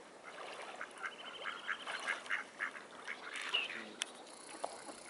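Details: Mute swans (Cygnus olor) on the Carolasee at 7:58 on 8 January 2017: short, nasal honking calls, repeated roughly every half second and overlapping from several birds, with a thin, high whistle briefly in the background.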